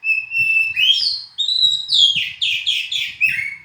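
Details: Kacer or oriental magpie-robin pouring out a continuous whistled song: a steady held note, then rising slurs and a fast series of descending sweeping notes, with soft low tapping in the background.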